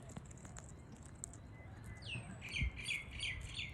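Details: Wild Australian king parrots, pairs feeding up close in Australia; a sliding whistled note, then a rapid series of short, high chirping calls repeated several times a second, over steady low background noise.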